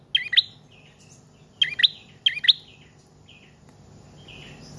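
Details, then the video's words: Prinia song of the trotol or paot style, used as a lure and to train other cage birds: three sharp, complex chirped phrases around the first two and a half seconds, then softer trailing notes and quiet background hum. "Prenjak Trotol/Paot Gacor Panjang"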